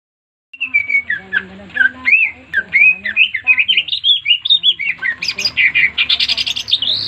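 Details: Green leafbird (cucak ijo) singing persistently and melodiously: a long, fast run of varied whistled notes that slur up and down, growing louder and denser into bright, chattering phrases toward the end.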